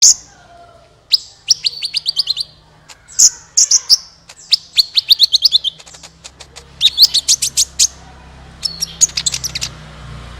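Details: Sunbird singing, played as a lure to prompt other birds to sing: very high, sharp chirps and fast rattling trills in bursts, some notes buzzy and descending, with short pauses between phrases and a faint low hum.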